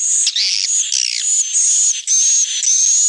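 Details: Edible-nest swiftlet calls used as a lure for evening roosting: continuous high, buzzy chattering twitters with thin whistled notes, broken by brief gaps, all sound high-pitched with no low background.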